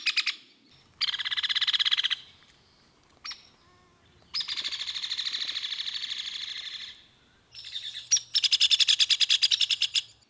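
Hairy Woodpecker giving several rapid, high, buzzy rattles that hold one pitch, each one to three seconds long, with brief sharp notes between them.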